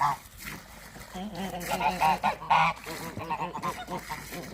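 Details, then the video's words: Goose during breeding season giving a series of nasal, strongly harmonic honks, some drawn out and others short and clipped, repeated several times a second in loud bursts over low background rumble. "Goose sounds and behaviour during breeding season"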